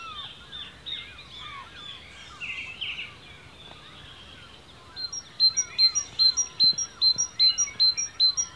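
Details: Birdsong in ancient woodland in Cornwall, UK, a mix of many chirps and downslurred whistles, then a close singer starts a rapid, regular run of sharp high notes, about two or three a second, ending the recording.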